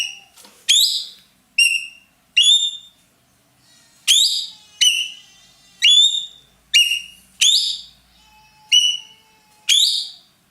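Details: Roller valued in Indonesia as a loud, melodious tutor bird for other songbirds: a string of about twelve sharp, clear whistled notes, each leaping up quickly, given at uneven intervals with brief gaps.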